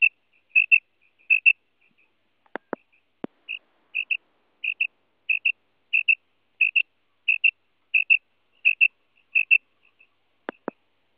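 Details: Female common quail (batair) call used as a lure for quail hunting: short high double notes, each pair quick and sharp, repeated roughly every two-thirds of a second, with a few loud dry clicks in the middle and near the end.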